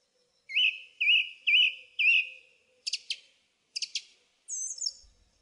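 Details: Song thrush singing a fluting wavering phrase four times over, then two harsh buzzy double notes and a high descending squeal.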